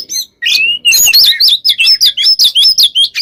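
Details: Oriental magpie-robin singing nonstop, a machine-like run of rapid, wavering whistled notes repeated about two or three times a second after a short opening phrase.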